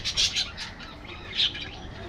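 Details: Budgerigars in an aviary give a few loud high chirps in two bursts, with softer colony twittering between them.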